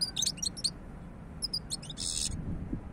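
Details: Bright twittering notes from a European goldfinch in short quick bursts, followed by a brief harsh hissing rasp, over low background noise.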